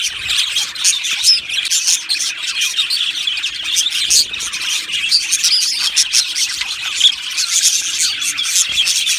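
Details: Aviary colony of budgies chattering nonstop: many overlapping high twittering chirps and scratchy notes form a steady bright wall of sound for the whole stretch.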